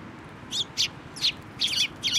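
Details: Feeding sparrows at a post in a Tenmangu shrine on 25 April 2024 give five loud, high, slightly buzzy chirps in quick, uneven succession, some doubled.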